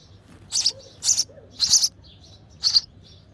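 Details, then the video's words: Sparrow chick begging in the nest while its mother feeds it: four loud, high, harsh chirps spaced about half a second apart, with faint softer chirps between them over a quiet background. "Hungry Baby Sparrow: Sparrow Mother Feeding Their Chick in The Nest With Baby Sparrow Chirping Sound"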